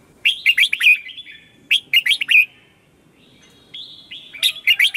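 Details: Morning song of a red-whiskered bulbul, played as a decoy to call wild bulbuls and train singers. Three short bursts of lively, slurred, chirping phrases are separated by pauses about a second long.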